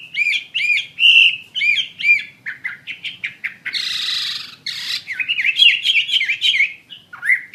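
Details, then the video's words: Chinese Hwamei in active song: a run of repeated arched whistled notes, then a brief harsh rushing burst, then quick varied chattering and whistled phrases. "Burung Wambi Mandarin Gacor Joss"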